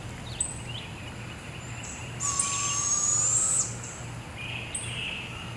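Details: Barred owl owlet, one of two being fed by their mother, Devil's Den Campground forest at 7 am: a hoarse, high hissing screech of about 1.5 seconds, gently rising, amid quiet calls of other birds and insects.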